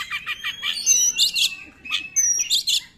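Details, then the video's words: Oriental magpie-robin song meant to stir other magpie-robins to sing: quick high chips leading into clear sweeping whistles and dense bursts of rich notes, in two phrases. "KACER NEMBAK, UNTUK PANCINGAN KACER YANG TIDAK GACOR"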